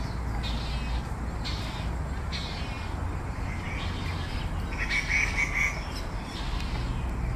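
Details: Malayan night heron fledgling, already out of the nest, still begging its parent for food again and again: harsh bursts roughly once a second over heavy low rumbling noise, with a few higher chirps near the end.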